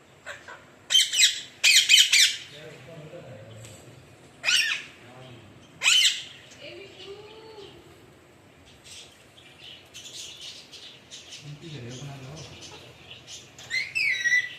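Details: Alexandrine parakeet giving loud, harsh squawks in short clustered bursts early on, then single bursts near four and a half and six seconds, with faint low voice-like sounds between and softer scratchy chatter toward the end.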